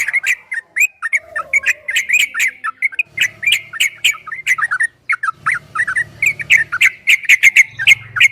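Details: Yellow-vented bulbul in fast ropel-style song for training: quick liquid warbles and sharp clicks running almost continuously, with a low hum in the later part.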